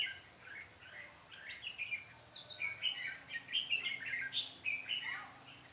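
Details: Red-whiskered bulbuls duelling in song during trapping on 13 March 2017, a decoy drawing wild birds; a steady stream of overlapping, liquid chirped notes, several birds calling in rapid succession.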